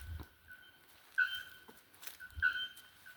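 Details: Bare-throated bellbird (araponga): sharp, clanging metallic notes repeated about once a second over a sustained, steady tone, with scattered clicks and low rumbling in the background.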